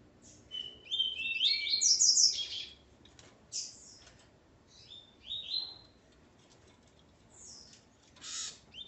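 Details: Coleiro male, paired with his female, sings a rapid rising twittering phrase early on, followed by sparse short notes and a couple of harsh buzzy bursts.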